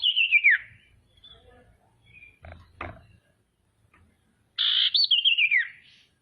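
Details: Female common iora in strong song to draw out rival birds: the end of a falling trill, a gap with two sharp knocks, then a full phrase of a buzzy note and a quick wavering descending trill.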